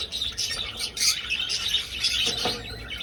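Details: Budgerigars flying in an old aviary: short, lively bout of high chirping and warbling from several birds, rising in loudness around the middle and staying busy.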